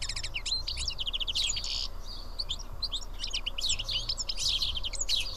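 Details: A group of seven house sparrows eating together in Karyotissa, Greece, chirp in rapid overlapping runs, with a brief lull mid-clip before the chattering swells again over a low background hum.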